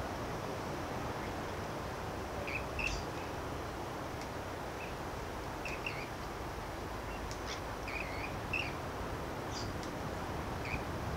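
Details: Rainbow bee-eaters in Byron Bay, New South Wales, give short, bright trilled chirps every second or two, some doubled, over a steady low rumble of wind or distant traffic.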